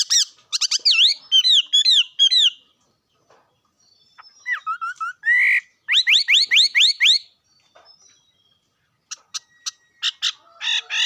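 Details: Bird song of rapid, looping whistled notes, a pause, softer slurred notes, then a fast series of sweeping upslurs, ending with sharp clicking ticks and chips.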